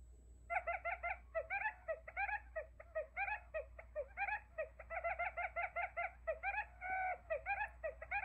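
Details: Buttonquail trapping decoy: after a quiet start, a long, dense stream of rapid chattering and clucking notes with bright overtones, nearly continuous for several seconds, over a low hum.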